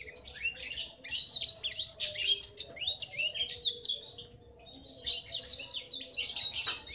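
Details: A young male black-throated canary gives a long, rapid, high-pitched rolling twittering chatter in two bursts separated by a brief pause. A long roll like this marks a juvenile as male.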